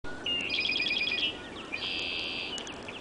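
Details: 21 Red-winged Blackbirds perched high in a snowstorm on April 11, 2013, about 7:15 am; one gives a high, stuttering buzzy phrase, then a long, harsh, ringing trill about a second long, over a soft hiss of wind.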